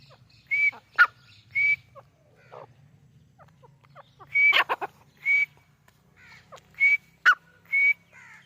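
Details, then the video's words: Grey francolin (Dakhni Teetar) in its natural habitat in Pakistan giving loud whistled notes, each with a sharp, buzzy click. The phrases repeat in pairs every second or so with quiet pauses between. "Dakhni Teetar | Teetar Ki Awaz | Teetar Sound | Teetar Voice"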